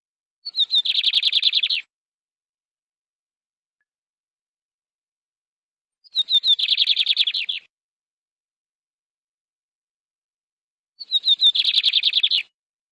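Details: Canary singing three short, high trilled phrases, each opening with a brief falling note and rolling into a rapid bright trill, spaced about five seconds apart with silence between.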